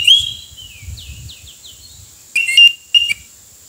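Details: Oriental magpie-robin by a road where wild birds are being trapped: a descending series of short slurred whistles, then two sharp, loud whistled notes after a pause, with faint low thumping underneath and a constant high hiss.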